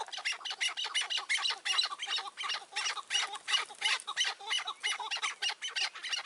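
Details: Chukar partridges in May 2024, during roof-trap hunting with a caged decoy: loud, fast, regular chattering chuk notes, nearly three per second, harsh and rasping throughout.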